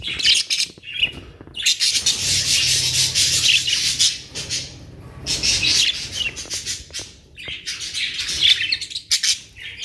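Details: Budgerigars, Australian parrots kept caged in Pakistan, in a noisy flock giving dense, scratchy warbling chatter in long bursts separated by short pauses, with a low hum underneath.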